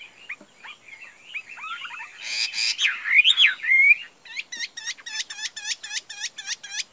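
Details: A caged Chinese hwamei gives soft twittering, then a harsh buzzy burst and bright slurred whistles, ending in a rapid string of sharp, clipped notes repeated about five times a second.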